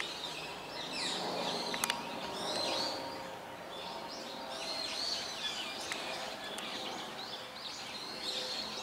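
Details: Brown-eared Bulbuls in Hourai Park, Ota, Tokyo, give shrill, sweeping squeals and chirps, several birds overlapping in quick succession, over a steady low background hum.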